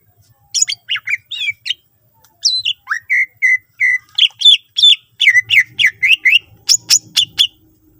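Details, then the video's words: Greater green leafbird in full song, used to prompt other leafbirds to sing: a few high chirps, then level whistled notes, then a fast string of dropping and rising chirps, roughly evenly spaced. "cucak ijo gacor full isian mewah sangat ampuh pancing c ijo lain agar ikutan rajin bunyi"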